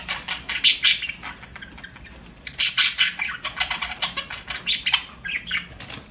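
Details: Pet budgerigar chirping: bursts of bright, scratchy chatter with short tweets, broken by a brief quiet gap, then resuming in uneven rapid phrases.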